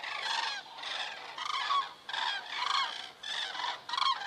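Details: Common cranes overhead in Estonia, crane camera, evening of 27 September 2017 at 19:26; loud rolling bugle calls come in distinct bursts roughly twice a second, with short quieter gaps between them.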